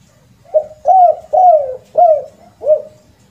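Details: Spotted dove (tekukur, derkuku) lure call with the rare 'kuk 2' and 'kuk 3' ending, which is said to hold mystical power. Five low, hollow coos, each one short or drawn out and slightly falling, spaced about half a second apart.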